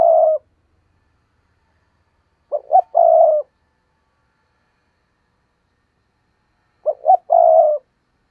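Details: Spotted dove in repeated lure cooing meant to make wild doves coo back. The tail of one coo, then two full phrases about four seconds apart, each two short notes and a longer steady low note.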